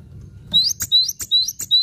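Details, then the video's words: Cinereous tit singing actively in a masteran-style song: a fast series of thin whistled notes, each sliding upward and ending in a sharp high click, repeated about every third of a second after a brief quiet start with faint low hum. "Masteran Gelatik Batu Gacor Mantap"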